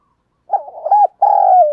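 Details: Trap decoy spotted dove luring wild doves. A quick stuttered coo leads into a long, steady coo that slowly drops in pitch.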